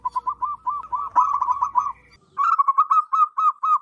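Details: Local wild zebra dove with a loud, big voice, used to lure zebra doves: quick runs of short, bouncy cooing notes, about four per second, with a low hum in the first half.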